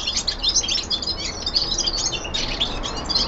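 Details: Young male common linnet singing at home: a continuous, busy warble of high twittering and buzzy notes, rising and falling without pause.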